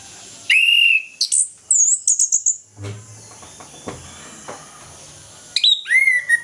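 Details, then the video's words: Orange-headed thrush singing in the morning in the loud ngeplong style, used to coax silent or moulting thrushes into song: a sustained whistle, then quick high twittering phrases, a pause with faint background hiss, and more falling whistled notes. "ANIS KEMBANG NGEPLONG PAGI, PANCINGAN AK MALAS BUNYI AGAR GACOR"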